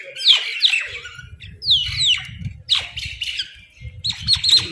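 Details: Crow food call, heard as loud, grating squawks in bursts of two or three, each note dropping in pitch, separated by short pauses, over a low rumbling background.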